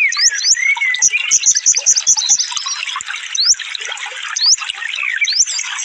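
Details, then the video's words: Rapid sunbird song, konin in 'full tembakan' style for training caged birds: thin rising whistles and a brief run of clipped repeated notes over a bed of overlapping high chirps. "suara burung konin full tembakan"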